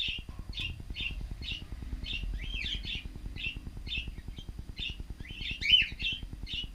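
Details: Cockatiels calling in an aviary on a fixed camera. Clipped chirps repeat about every half second in a steady rhythm, with a louder cluster of rising whistled notes near the end, all over a persistent low mechanical ticking.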